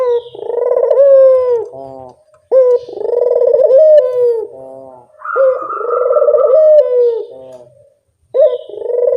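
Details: Lure sound of a turtle dove, with a series of low purring coos, each opening with a sharp note and trailing into a rolling trill. The phrases repeat about every two to three seconds.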